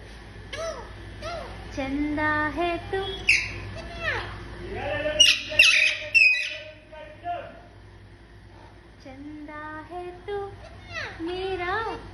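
A rose-ringed parakeet chatters in quick, speech-like phrases of rising and falling notes, broken by a few shrill squawks midway. A steady low hum runs underneath.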